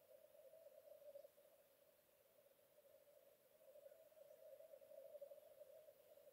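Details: Black grouse displaying at a lek in a raised bog, Vargavidderna nature reserve, Tiveden, Sweden, early morning of 25 April 2022; a soft, continuous low bubbling chorus that swells and fades gently, heard from a distance.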